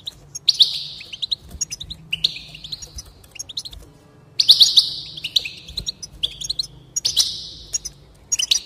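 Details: Goldfinch song for stimulating singing, with bursts of buzzy, wheezy trills roughly every few seconds separated by crisp chattering notes and short pauses.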